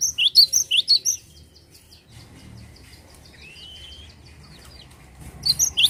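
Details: Cinereous tit singing lively: a rapid burst of about seven high, bright, chirpy notes, a long quiet pause with one faint thin rising whistle, then another fast burst of high notes at the end.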